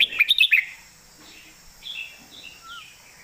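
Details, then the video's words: Red-whiskered bulbul, a caged songbird, singing a standard master song: a quick burst of five loud, bright chirping notes in the first half-second, then softer warbled phrases and a short low whistle. "เสียงดัง ฟังชัด"ซัดเต็มข้อ นกเสียงทองเพลงแม่บท#เสียงนกกรงหัวจุก"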